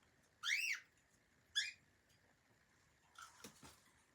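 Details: Pet cockatiel indoors giving two loud arched chirps, each rising then falling, the first longer and the second short about a second later, followed by soft clattering and tapping noises.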